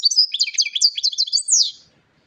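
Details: Rapid, jangling European goldfinch song of tumbling high twittered notes, ending in a descending buzzy slur.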